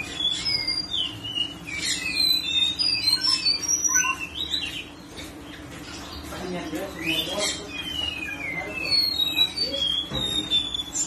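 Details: A whistling thrush (ciung batu), recorded on a February 2022 morning as a tutor recording, sings a rapid stream of high, clear whistles and slurred notes over a low, steady hum.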